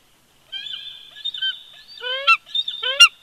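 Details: Wintering bald eagle pair calling at their nest at Big Bear Lake, California, February 2020: a thin, wavering high whistle runs on, broken by two sharp, rising squeals and a final loud shriek.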